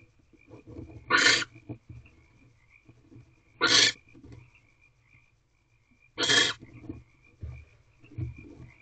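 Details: Female barn owl settling into her brooding position in a nest box at 3:39 am on 23 March 2023; three short, harsh, breathy hissing bursts about 2.5 seconds apart, with quiet low rustling between them.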